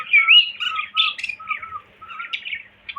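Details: Whistling pet cockatiel: a looping whistled phrase opens, then steady low flat tones repeat about twice a second beneath higher scratchy chirps, fading toward the end.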